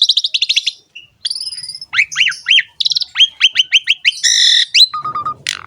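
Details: Javan pied starling singing energetically in ngerek style as a tutor for other starlings: quick chip runs, repeated upslurred whistles about three per second, a harsh buzzy burst and a level low whistle.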